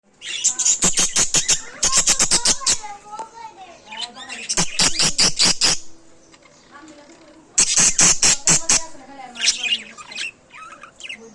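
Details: Budgerigar; chatter; contentment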